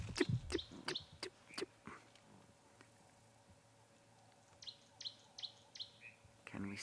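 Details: Tawny-flanked Prinia on a morning safari drive at Ngala Private Game Reserve, South Africa, 11 April 2020, giving a brisk run of four or five high, sharp notes in the background after a fan-tailed flycatcher, a man's voice and other chirps.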